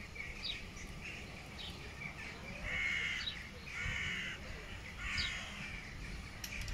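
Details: Black-headed gulls settled on the calm Mur river in Graz, Austria: a run of harsh, slightly drawn-out squealing calls, several overlapping, the loudest three about a second apart, with faint low background rumble.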